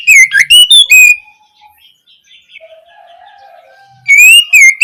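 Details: Oriental magpie-robin opening song, played to prompt young birds to sing: a fast whistled phrase with bright ticks, a near-silent gap of about three seconds with faint soft notes, then a fresh rising whistle.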